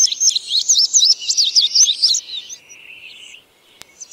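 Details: Song of an indigo bunting: a fast string of high, doubled chirping notes for over two seconds, trailing into lower, quieter notes, then near silence broken by a single click.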